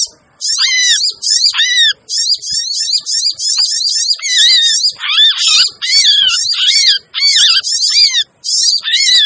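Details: Sogon bird calls played as a trapping lure. A rapid run of high, bright, chattering notes, each tipped with a short falling whistle. The calls repeat almost continuously for over eight seconds with only short pauses.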